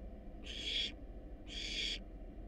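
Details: Wild barn owl nestlings in a research nest box, hungry as they receive a rat and a rabbit; two rasping, hissing screeches about half a second each, a second apart, over soft background hum.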